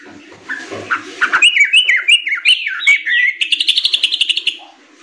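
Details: Young sooty-headed bulbuls singing a tutor song for training birds. A brief soft warble leads into a quick series of bright falling whistles that climb gradually, then a dense rapid trill that fades out.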